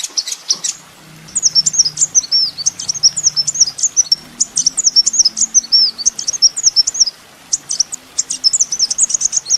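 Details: Kolibri ninja sunbird on a master track for training songbirds: a long, loud run of very high, thin twittering phrases, with rapid looping whistled notes in bursts separated by brief pauses.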